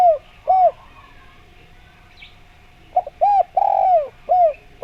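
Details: Spotted dove cooing as a lure to make other doves answer: soft, low hooting coos, short notes then a longer drawn-out coo, in bursts separated by a quiet pause, over a faint steady hum.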